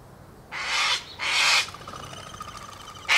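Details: Ibis flock browsing and grooming in a ploughed meadow in warm afternoon sun; two loud, harsh, rasping squawks about half a second each, a pause, then a third squawk beginning at the end, over faint background hiss.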